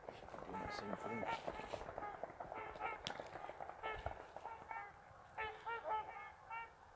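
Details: Geese leaving a marsh for an afternoon feed after a mid-day rest at a riverside retreat in December; a dense chorus of many honking calls, repeated and overlapping, with a person speaking briefly.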